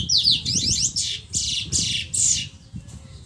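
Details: Eurasian magpie giving a harsh, scratchy chatter of about six rasping bursts in just over three seconds, each dry and noisy, with a low background rumble underneath.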